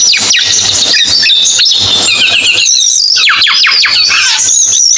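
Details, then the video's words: Cucak keling song: a rapid, unbroken run of high squeaky whistles and chatters, with a series of sharp falling slurs near the end and a steady low hum beneath. "MP3 BURUNG CUCAK KELING"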